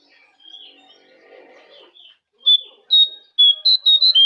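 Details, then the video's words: A Jongkangan bird in a masteran training recording meant to prompt caged birds to answer gives loud, high, clear whistles, several short bright notes in quick succession, after softer, fainter chirps and murmuring background. "Masteran Jongkangan"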